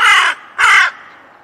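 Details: Crow calling with two harsh, buzzy caws back to back, the first cut short at the start, loud and clear over near silence.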